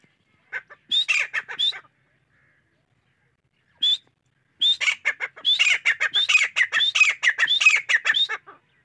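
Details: Grey francolin calling: harsh, squeaky notes in short bursts, then a longer fast run of sharp rising and falling notes about one and a half per second, no other sounds.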